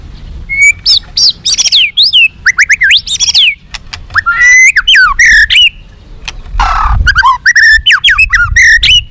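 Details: Tame White-rumped shama kept free without a cage, singing loud varied phrases of sweeping whistles, rapid rising and falling notes and harsh bursts, with short gaps between phrases.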